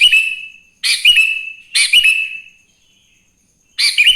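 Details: Sooty-headed bulbul in morning song, meant to draw other bulbuls into singing. Three rich chirped phrases, each ending in a drawn-out whistled tail, follow one another about a second apart, then a short pause.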